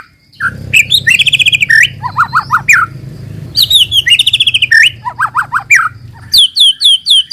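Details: Lure song of a white-rumped shama for making other shamas sing: rapid buzzy trills, repeated downward-hooked whistles, and bright high notes in lively phrases, with steady low hum beneath.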